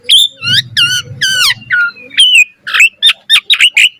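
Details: Asian pied starling in lively full song used as a training master for other starlings: varied whistled notes, some falling and rising, mixed with harsh buzzy chatter and rasping bursts; a low rumbling undertone midway.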